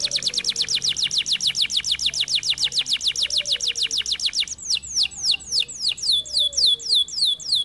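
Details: Singing canary: a long, fast, even run of sharp ticking syllables, about four per second, shifts into slower swooping whistled notes that drop then rise.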